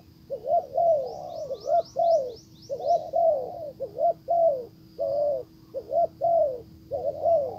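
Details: Spotted dove decoy cooing to lure a wild dove, which goes off ignoring it; regular low husky coos through the whole stretch, a rapid series of high rising ticks early, faint whistle.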